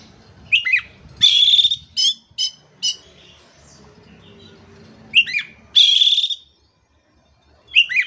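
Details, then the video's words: Oriental magpie-robin singing vigorously, meant to coax silent, stressed magpie-robins back into song: sharp whistled phrases and a longer buzzy, rasping note, then a quiet gap before more loud bursts; faint low murmur underneath. "KACER MACET TOTAL pasti akan PULIH dan NYAUT dengan dimasteri kacer ini"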